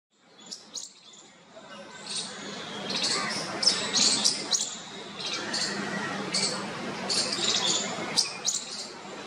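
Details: Bulbul chicks in a nest in a parking shed, near people for safety from crows, beg for their parents' attention with rapid, high, thin chirps, several per second, over a steady background hiss with faint voices.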